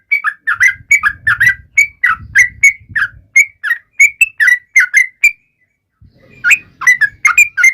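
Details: Yellow-vented bulbul song aimed at taunting rivals, built from quick bubbly whistled notes in a steady run, breaking off briefly for about a second before resuming; faint low rumbling noise underneath.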